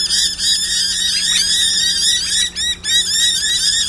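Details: Several noisy miners at a reserve in Brisbane, 29 August 2012, respond to an owl model with a dense, harsh chorus of rapid, overlapping chattering calls, three or four a second, over a faint low hum.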